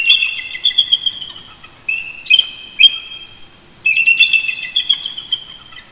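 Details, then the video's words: Wild eagle pair communicating early in the morning near their nest at Big Bear Lake, California, November 2018: rapid stuttered high squeals in overlapping phrases, with a brief pause before another long chattering run, recorded by a nest camera. "Shadow & Mrs BB Duet Vocals Early Morning"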